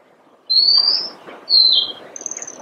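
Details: Oriental magpie-robin giving long, pure, high whistled notes, two slightly falling and a third thinner one, over a steady low background rumble.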